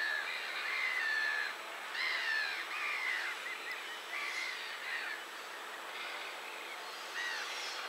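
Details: Gulls calling over one another at 51.754284, 20.223545: nasal, down-slurred mewing cries, roughly one a second, with several birds overlapping.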